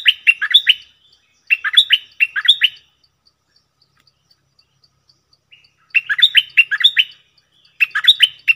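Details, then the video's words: Cream-vented bulbul in full 'gacor' voice giving its doubled 'phleng boen' song, 18 June 2021: quick bubbly phrases of four or five slurred whistles, three in the first seconds, then a long gap with soft ticks, then two more. "เสียงนกดอกแตงEp.59 Birds sounds เพลงเบิ้ลของเจ้าเพชร!!Merbah lekir gacor"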